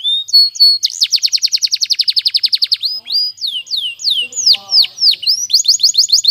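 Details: Canary delivering a powerful training song: a brief whistle, a long rapid rolling trill, then looping downward-swept whistled notes and another fast trill. Faint low sounds briefly appear in the middle.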